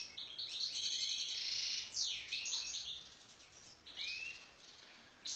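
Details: A wild goldfinch (European goldfinch) in continuous song: a fast, high, tinkling stream of twitters and buzzy trills, with a few clear rising whistles near the end.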